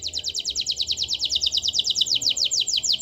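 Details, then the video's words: Canary singing to get silent canaries singing: a steady, rapid trill of crisp repeated notes, about three per second, continuing throughout with little change. "Pancingan Kenari MALAS BUNYI Agar Bunyi"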